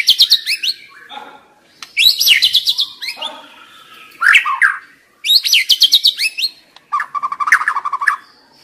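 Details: Stressed young forest white-rumped shama sings bursts of rapid, rattling high notes mixed with lower warbled phrases. Five or so separate outbursts, the last a buzzy trill lower down. Recorded as a lure to prompt other shamas to sing.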